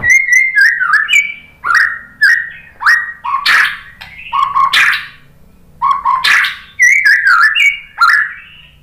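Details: White-rumped shama song used as a lure to make other shamas answer and sing: loud whistled and buzzy phrases, rising and falling, in bursts about every half second with short gaps.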